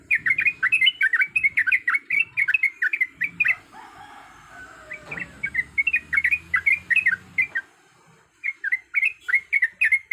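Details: Bright chattering from a yellow-vented bulbul female in breeding condition calling males, broken by a quieter stretch with a rustle or flutter midway. The quick, bending chirps then return.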